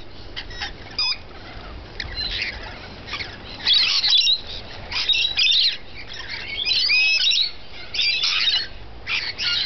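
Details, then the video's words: Rainbow lorikeets feeding, giving harsh, raspy screeches in irregular bursts, several overlapping, some short rising and falling squeals between louder chattering outbursts. "Rainbow Lorikeets feeding"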